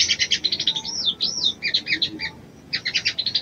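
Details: Ruby-cheeked sunbird, a female calling the male to arouse him: quick sharp chirps, then a series of wavy up-and-down whistled slurs, more clipped tweets, a short pause and a final rapid chirping run.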